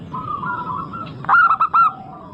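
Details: Local zebra dove in full song, used as a lure to get other birds singing: soft cooing first, then a loud rapid burst of four stuttering, ringing coo notes near the end, over steady low background noise.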